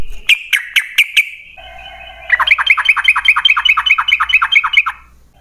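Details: Yellow-vented bulbul song meant to prompt other bulbuls to sing: four sharp, bright notes, a short quieter gap, then a fast rattling string of about eighteen rich, looping whistled notes lasting nearly three seconds.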